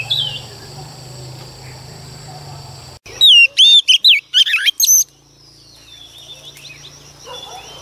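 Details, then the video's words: Oriental magpie-robin, a wild-caught female singing to excite male birds; after three seconds of low hum, a quick two-second run of bright whistles, up-and-down slurs and clipped chirps, then faint background noise. "choè than mái bổi lên kích trống quá hay"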